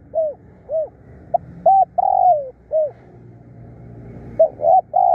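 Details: Spotted dove used for decoy trapping, fierce and calling often: a run of soft, rounded coos followed by a longer downslurred note, then another phrase starting near the end.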